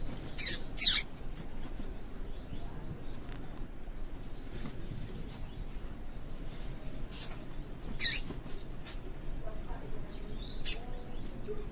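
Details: Calls of a female yellow-bellied seedeater, used by breeders to get males singing: a quick pair of sharp high chips, then scattered single chips further apart, with a low background hiss.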